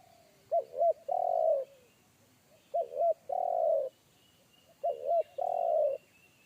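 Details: Spotted dove with a big, deep bass voice of the single-kuk style, heard in the forest. Three phrases, each a quick wavering double note and then a long, steady, full coo, about every two seconds. Faint high whistles are behind it.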